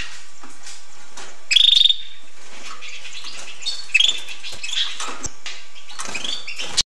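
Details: Hooded siskin giving a sharp ringing trill, then a shorter repeat about two seconds later, with soft twitters and scratchy notes between.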